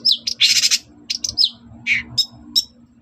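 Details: Long-tailed shrike in a lure recording meant to make other shrikes reply: a few harsh, broad scratchy bursts alternate with short high whistled slurs, and a faint low hum runs underneath.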